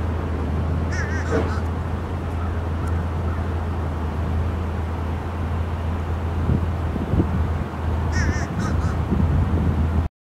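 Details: A fish crow in Savannah, Georgia, recorded 24 February 2022, gives two brief bursts of short nasal calls, one near the start and one near the end, over a steady low rumble of traffic.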